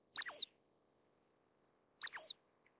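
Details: Dark-sided flycatcher (Muscicapa sibirica), a rare passage migrant in Taiwan, gives two thin, very high calls about two seconds apart, each a quick tick then a brief falling whistle, with silence between.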